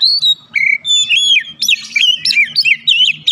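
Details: Oriental magpie-robin singing a bait song used to provoke other birds to reply; bright whistled notes, rising and falling slurs and dense buzzy chatter in quick succession over a faint low hum.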